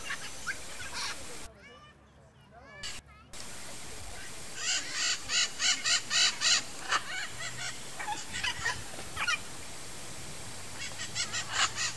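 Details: Blue-and-yellow macaw pair (Ara ararauna) nesting in trees, tending their nest; after a short muffled stretch, a run of harsh, raspy squawks follows, coming in quick bursts, then scattered rougher calls near the end.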